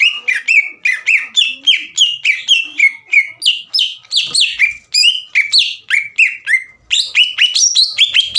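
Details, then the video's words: Green leafbird in vigorous song for provoking a rival: a long, varied run of sharp, slurred whistles, some rising and some falling, delivered in quick succession with a short pause near the end. "MEMANCING CUCAK IJO LAWAN AGAR EMOSI DAN GACOR"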